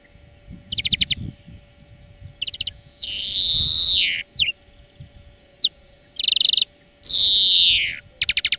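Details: European greenfinch singing in a song-training lesson, alternating fast metallic trills with two drawn-out wheezing buzzes that rise and fall, short pauses between phrases, steady background hum.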